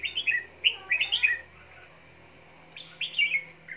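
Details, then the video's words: Caged red-whiskered bulbul singing while beating its wings: two quick clusters of cheerful whistled, slurred notes separated by a pause, over a low steady hum in the background. "Chào Mào Vừa Hót Vừa Vỗ Cánh"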